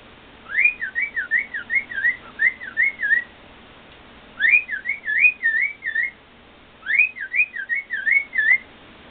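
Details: A male pet cockatiel, excited after being shown videos of himself singing, sings happily in bouts of quick, wavering whistles that rise and dip like a rolling tune.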